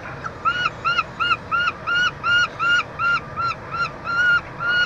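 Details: Nest-box peregrine falcons in Montreal, Quebec, on 22 June 2023 while the chick is fed; a regular series of about fourteen harsh, bowed, wailing notes, about three per second.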